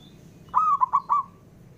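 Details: Calling male zebra dove, a local bird, challenging rivals to reply: four soft cooing notes, a sustained opening coo followed by two quick short notes and a longer trailing final one, with low steady hum underneath.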